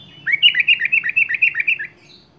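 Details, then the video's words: Sooty-headed bulbul in full, lively song, delivering varied filler phrases (isian): a rapid run of about twelve bubbly, chirping notes, each swooping up and down, over roughly a second and a half before falling silent. Background otherwise quiet. "KUTILANG GACOR BONGKAR ISIAN"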